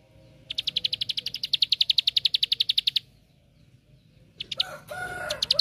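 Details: Bar-winged prinia lure song of the 'tembakan' type, played to make other prinias sing: a steady, sharp, high ticking trill of two and a half seconds, then a silence and a burst of harsh, noisy calls.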